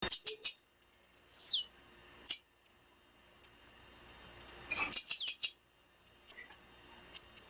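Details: Female blue-black grassquit calls used to excite and warm up males and stimulate their singing: scattered very high, thin chirps and short downward-sweeping whistles, with a dense burst of rapid buzzy notes near the middle.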